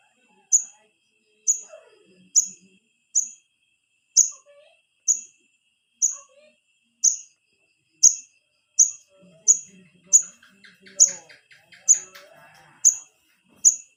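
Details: Wiceh chick begging calls meant to draw in the parent birds: bright, piercing chirps repeated roughly every second, with faint twittering of other birds in the background.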